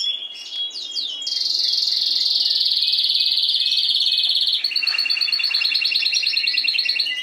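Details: Caged Spanish timbrado canary from last season sings: a few quick descending chirps, then a long steady high rolled trill, switching to a faster pulsed metallic roll.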